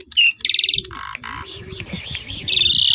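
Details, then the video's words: Asian pied starling song: a clear whistle, then a pulsing buzzy rattle, two lower nasal notes, and a rough sustained buzzy passage ending in a rasp. Low cooing sounds in the background. "BURUNG JALAK LANGSUNG BUNYI SEMUA,, STARLING"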